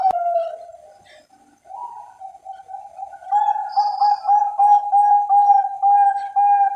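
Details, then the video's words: Captive Bangkok zebra dove (perkutut) from a Central Java breeding farm, cooing softly at first, then building into a fast, even run of clear, low pulsed coos, with faint chirps above. "SUARA PERKUTUT BANGKOK"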